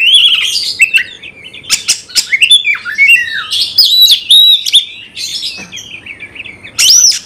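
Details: Energetic Oriental magpie-robin song used to provoke another bird into fighting, with a long run of whistled slurs, harsh squawky bursts, and sharp chirps, ending in a loud high whistled note.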